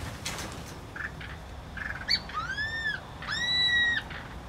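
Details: Two loud arched whistles from a laughingthrush, each rising then falling, about one second apart, preceded by faint short notes and light background noise.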